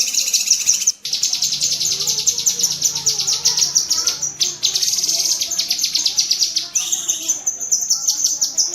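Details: Rapid shooting-style chatter of a cucak kinoi bulbul, a torrent of shrill, closely spaced notes interrupted by short pauses, with some higher squeaky notes toward the end. Recorded as master audio for pet birds.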